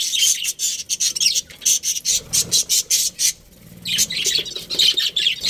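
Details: Budgerigar breeding pair in a colony chirping steadily: evenly spaced sharp, high chips at first, then a run of busier, buzzy warbling toward the end.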